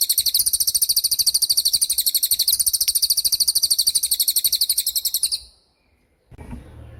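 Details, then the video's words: Training recording of cililin 'tembakan' for murai batu and other songbirds: more than five seconds of rapid, sharp, metallic trilling that stops abruptly, followed by near silence. "MASTERAN TEMBAKAN CILILIN GACOR DOR,SUPER JERNIH & TAJAM"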